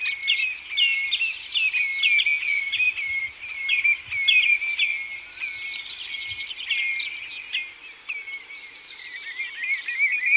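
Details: Several common redshanks giving flight calls and song display: high, clear, down-slurred piping notes repeated rapidly and overlapping, over a faint low rumble.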